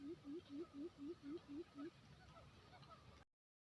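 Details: A quail on Lombok island, in a recording used as a lure call, gives eight low, short hooting notes, each slightly rising, about four per second, then stops; faint background hiss follows.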